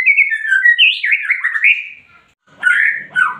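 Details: White-rumped shama in energetic full song: a long flowing run of warbled, slurred whistles rising and falling, a brief pause, then two more loud whistled phrases.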